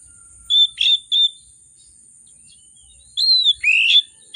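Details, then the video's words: An emotional, prolific oriental magpie-robin sings to lure hesitant birds into song. Three short sharp whistles come first, then after a pause a richer phrase of arched and rising whistles, over a steady faint high whine. "Kacer Gacor, Kacer Emosi Memancing Kacer Sulit Bunyi, Kacer Isian Mewah"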